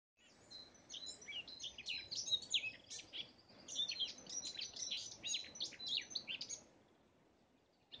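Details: Garden warbler singing a fast, even warble of mellow notes and brief rolling phrases, blackcap-like, for about six seconds over light background noise, at Gniben, 30 May 2017.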